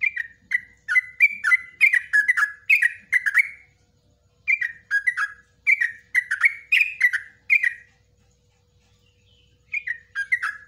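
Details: Yellow-vented bulbul singing a long ropelan-style song, with nguklik and ngecruk phrases, used as a master recording for training other bulbuls. Bursts of rapid, bubbly, warbled notes run for about four seconds, pause, then resume.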